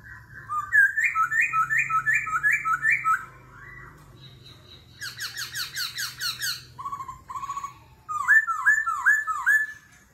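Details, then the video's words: Laughingthrush, singing competitively in forest voice and kéo thuốc lào style, changes voice repeatedly: a run of looping whistles, a dense rapid chattering series, a low flat note, then more looping whistles. "Khướu hót giọng rừng - hót đấu - đảo giọng liên tục - kéo thuốc lào"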